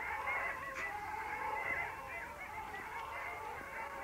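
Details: Long-tailed ducks at the Vistula mouth, Poland, on 8 February 2013, calling together in a dense, unbroken chorus of nasal, yodelling notes that overlap and rise and fall throughout.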